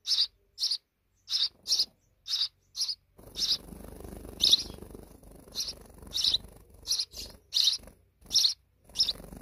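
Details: Sparrows at a deep nest inside a wall, giving short bright chirps repeated in quick succession, some paired, with a brief rustling noise in the middle.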